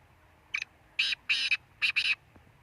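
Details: A black francolin delivers a brief scratchy phrase. A short lead-in note is followed by two rasping notes and a closing double note, each harsh and buzzy. A faint low hum sits underneath.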